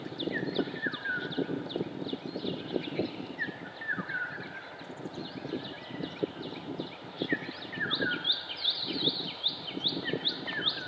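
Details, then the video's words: Oriental magpie-robin singing on Coney Island, Singapore, on 11 February 2016: quick runs of varied short whistles and slurred notes, growing louder and denser near the end, over a steady low thumping, rumbling background. "シキチョウ (Oriental-Magpie Robin)"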